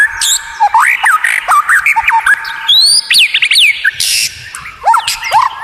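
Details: White-rumped shama in a training recording of rare, unusual song meant to enrage rival birds: rapid varied phrases of clear rising and falling whistles, sharp upswept notes and brief harsh bursts, tumbling without pause.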